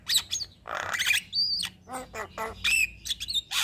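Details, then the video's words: Caged Javan myna (jalak kebo) singing steadily, used as a master recording to prompt other birds: harsh noisy squawks mixed with clear sliding whistles and stuttering clicks, delivered in quick irregular bursts. "Burung Jalak Kebo Gacor Mental Juara Tetap Bunyi Siang Malam Pas Buat Masteran dan Pancingan"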